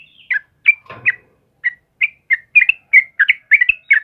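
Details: Sooty-headed bulbul in full morning song: spaced, bright chirps at first, with a brief rustle, then the notes quicken into tight, slurred two-note phrases toward the end.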